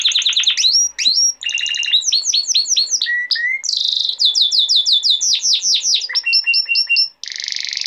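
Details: Male canary in continuous song, intended to train young canaries and stimulate females: fast chirp series, low rising whistles, rolling trills and repeated swooping notes, ending in a short buzzy trill.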